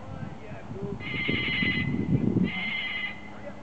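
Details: A loose pet cockatoo high up a tree outdoors mimics a ringing mobile phone very accurately, loudly and constantly: two trilled, electronic-sounding bursts under a second long, with low murmuring voices and background noise underneath.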